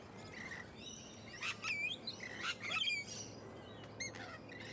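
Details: Musk lorikeets in leafy suburban Hunters Hill, Sydney, Australia, late November to early December 2020: shrill, screechy chirps and squeaks in overlapping bursts from several birds, with short rising notes and a quick rattled call near the end.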